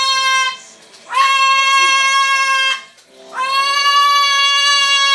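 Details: A pet cockatoo, squawking as people walk into the house, gives three loud, drawn-out squawks, each steady and harsh-edged, held a second or two with brief pauses between; a person squawks back in the middle.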